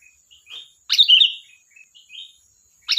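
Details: Lively, chatty song of a sooty-headed bulbul: one strong, bubbly, slurred phrase, followed by soft, thin whistled notes, then the start of another phrase.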